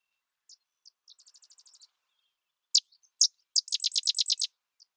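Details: Sedge wren: a few scattered high dry chips lead into a quick run of even ticks, then louder sharp chips and a rapid staccato chatter of about ten buzzy notes, in otherwise silent surroundings.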